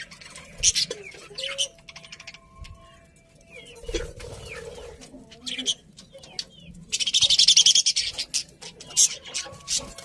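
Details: Budgies chatter in a mix of high chirps, thin whistled notes and scratchy warbling. A rapid, tight burst of chirps comes near the end.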